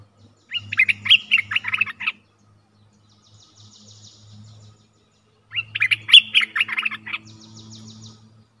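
A streak-eared bulbul gives two bursts of bubbly, chattering notes about four seconds apart, each followed by a soft, high, buzzy trill. A faint low hum runs underneath.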